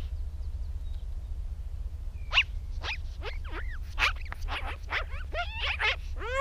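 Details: Magpie chattering as it comes in to land on a post: after two quiet seconds, a burst of harsh, scratchy notes mixed with swooping, slurred calls, repeated irregularly, over a steady low rumble.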